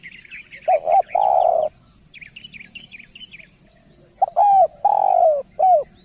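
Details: Spotted dove calling actively: two loud low cooing phrases of short notes and a long sustained coo, separated by a gap filled with bright high chirps from small birds.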